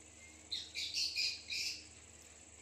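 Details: Captive pet Indian ringneck parakeet talking: a short run of raspy, squawky syllables in about four bursts over a second, faint against a steady background hiss.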